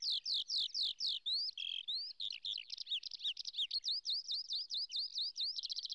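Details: A lark over flowering fields, where it nests on the ground and sings in acrobatic spiralling flight, pours out a fast, unbroken run of high, twittering, slurred whistles, rapid trills and short rising phrases.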